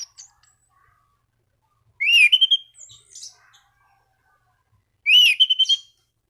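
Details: Orange-banded thrush calling rivals, its song meant to stimulate other thrushes: two short bright phrases, each a rising whistled slur followed by a stuttering trill, spaced about three seconds apart, with faint soft notes between.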